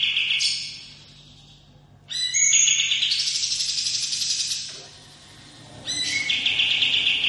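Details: Kapas tembak songbird giving a long rolling song for master training: bursts of rapid, shrill trilled notes lasting two to three seconds, shifting between lower and higher pitch, separated by short near-silent gaps.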